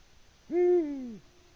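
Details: Evening hoot, 18:06, from a male Eurasian eagle-owl on a Latvian live stream in March 2019, trying in vain to attract a female; one low, rounded note swelling up, holding, then dropping in pitch before fading.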